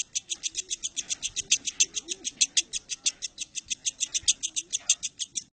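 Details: Sustained lovebird song dated 19 January 2018: shrill, buzzy notes delivered in a fast, even stream, about six per second, some notes louder than others.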